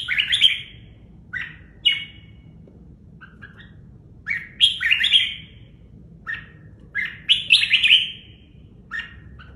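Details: Caged red-whiskered bulbul in Vietnam repeating short, mellow, warbled whistle phrases of two to four notes every second or two, with a soft low background noise.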